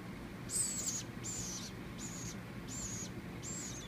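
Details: Fallen nestling woodpecker, hand-raised indoors, begging while being fed with a paintbrush: five high, harsh, raspy buzzes about half a second apart, steady low hum underneath.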